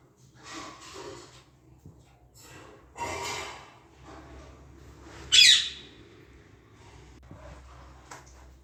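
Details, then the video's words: Two pet parakeets, a male and a female, mimic speech in Hindi in short raspy, voice-like bursts, with one sharp high squawk midway, heard indoors against a faint background hum. "mittu babu and mittudi talking clear in hindi"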